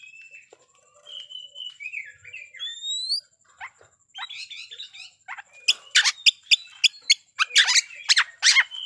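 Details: Oriental magpie-robin in vigorous fighting song meant to stir up rival birds: soft whistled and warbled phrases with rising slurs give way to a rapid run of loud, harsh, scratchy bursts.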